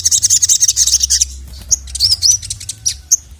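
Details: Crimson sunbird calling the male, a training recording: a fast, dense, high chatter for over a second, followed by separate high, rising, slurred whistles and sharp chips.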